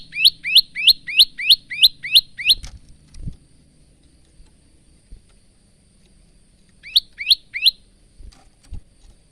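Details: Male bar-winged prinia singing for training young or silent cage birds: eight even high chips in a rapid row, a quiet gap with a thud, then three more chips.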